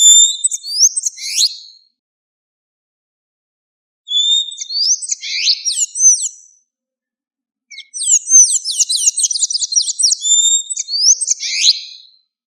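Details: Blue-grey tanager singing persistently in nature, three bursts of thin, squeaky, sliding notes separated by pauses of about two seconds, the last burst a rapid run of repeated curled squeaks, in a clean background.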